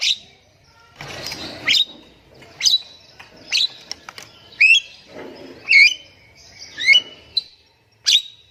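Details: Javan myna song aimed at making silent birds sing: a mix of harsh rasping bursts, sharp chips and rising twisted whistles delivered at an uneven pace of roughly one per second.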